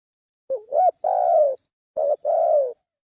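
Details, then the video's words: Spotted dove giving a lure call, a wavering rising coo followed by a long drawn-out falling coo, then a second short-long pair, in quiet surroundings. "Suara pikat burung tekukur"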